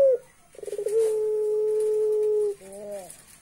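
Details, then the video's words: Laughing call of a puter pelung dove. A brief opening note, then rapid stuttered pulses that merge into a drawn-out, even, low coo lasting nearly two seconds, ending with a short wavering tail note. "Burung Puter pelung bisa ketawa, ketawanya serem"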